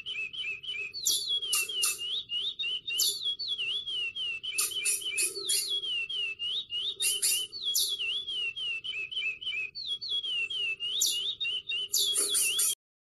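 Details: Brazilian curió, the lesser seed finch, delivering an extended varied song: quick looping whistles, warbled runs and sharp high upswept notes, repeated in phrases for about twelve seconds over faint low background noise.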